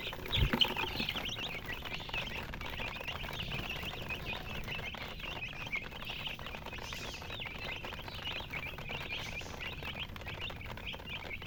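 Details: Baby chicks chirping together, a continuous flock of thin, high, quick peeps overlapping each other, softer than the background rumble and pattering taps that run through the recording.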